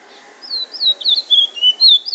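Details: Bullfinch singing drawl and wheet drawl in Trinidad: a lively run of sharp, clear whistled notes, each slurring downward, delivered rapidly and evenly at high pitch.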